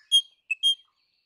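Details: Crimson rosella giving three clear whistled notes: two short high notes close together, a pause, then a third slightly longer note, each bright and bell-like, against a silent background.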